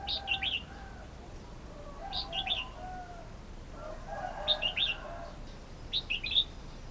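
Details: Red-whiskered bulbul repeating a lively, liquid phrase of three to four quick chirps four times, roughly every two seconds, with soft low murmuring tones and steady background hiss.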